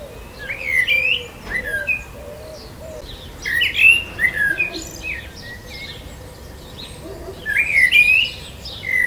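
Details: Common Blackbird singing in the lower Susa Valley: three warbled phrases about three seconds apart, mixing mellow notes with higher twittering flourishes, over a low steady background murmur.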